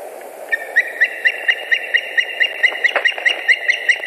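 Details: White-tailed eagle pair at the nest in Latvia, 26 April 2021, afternoon, with the female arriving with fish and the male following: a long series of sharp yelping notes, about four a second, with steady background hiss.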